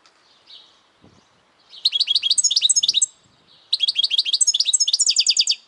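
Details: European goldfinch singing two rapid phrases of high, liquid twittering notes, each about 1.5 seconds long, with short trilled runs at the close of the second; faint low knocks earlier.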